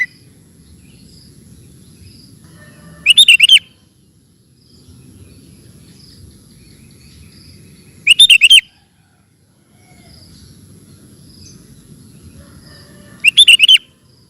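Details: Lively gacor song of a sooty-headed bulbul for training kept birds: a short, dense, bubbling phrase repeated three times, about every five seconds, with quiet gaps and a faint low hum between.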